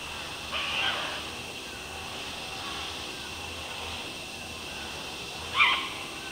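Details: One of a captive-bred, released great green macaw pair preening in trees during breeding season in Manzanillo, Costa Rica; two short, harsh squawks about five seconds apart over steady hiss.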